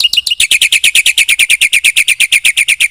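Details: Black-winged myna giving a steady, machine-like string of rapid, high, even notes, roughly seven each second, part of a filler-rich song meant to rouse other birds.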